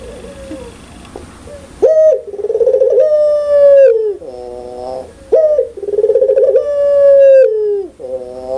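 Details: Puter pelung (Barbary dove) giving loud, clear cooing: after nearly two seconds of low background hiss, two long phrases, each a stuttering roll into a sustained, slightly falling coo, then a short nasal, harmonic-rich note.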